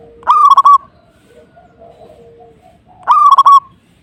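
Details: Local zebra dove (perkutut) singing hard to provoke a rival: two loud phrases under three seconds apart, each a swelling coo running into quick stuttering rolled notes, over faint low cooing and a steady soft hum.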